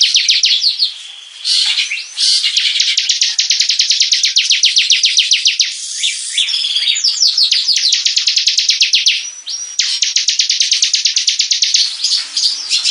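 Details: Long passage of bar-winged prinia song for training other birds: repeated high, sharp chirps in fast runs of several seconds, separated by brief pauses and occasional stretched, buzzy notes.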